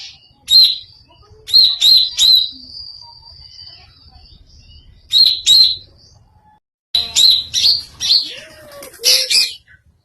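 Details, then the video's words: Greater green leafbird giving an odd-sounding series of sharp, high chirps in clusters of two or three, a thin sustained whistle between them, then a denser run of rapid chirps near the end. "cucak hijao suara aneh"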